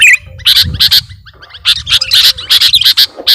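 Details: Lure recording of a sooty-headed bulbul for trapping birds: loud, harsh squawky chirps in quick irregular clusters, separated by brief pauses, with soft low background hum.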